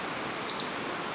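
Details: Ornate flycatcher beside a stream at Quitacalzones on the Manu road, giving one short, thin, very high note over a steady hiss of rushing water.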